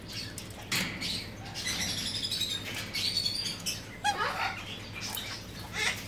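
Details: Galah (Eolophus roseicapilla), ringed, gives harsh, screechy cockatoo notes in short bursts, some with a thin high whistled edge, mixed with wing flutters and rustling.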